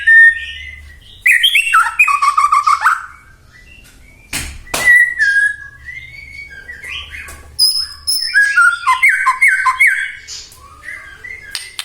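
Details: White-rumped shama song for provoking other shamas: varied whistled phrases and fast trills, a pair of sharp clicks midway, then renewed bursts of rich, descending notes.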